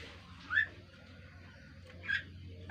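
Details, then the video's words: Kaso-kaso bird giving a melodious call while calling actively: two short, clear, rising whistled notes about one and a half seconds apart, with a low steady hum beneath. "PANGGILAN MERDU BURUNG KASO KASO GACOR"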